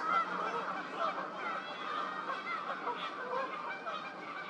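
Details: Fish crows, newly arrived in spring, at Twin Lakes on April 8th, 2023: a flock gives overlapping nasal, honking calls in a steady, busy chorus with no clear pauses.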